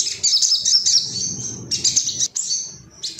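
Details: Male ruby-cheeked sunbird, agitated and seeking rivals, singing a loud, rapid, high twittering of thin chips and short trills in fast bursts, with a brief pause near the end.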